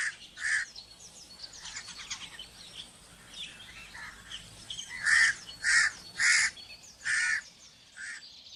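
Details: Crow giving short harsh caws, a couple early then a run of four or five close together near the end, over steady background noise with faint higher chirps from other birds.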